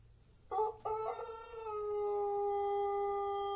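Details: Long crow ('kokok panjang') of a champion-style Pelung rooster. After a brief broken start, the call settles into one long, smooth, level note, drawn out for about three seconds, with quiet surroundings.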